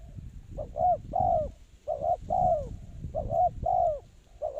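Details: Spotted dove kept as a trapping lure, its soft coos repeating in quick succession, each a short paired note and a longer falling coo, over steady low-pitched background rumble.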